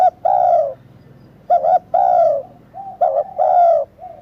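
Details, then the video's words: Mellow hooting of a spotted dove: short clipped coo followed by a longer descending coo, repeated three times over a low background hum. "Tiếng Chim Cu Gáy cực hay"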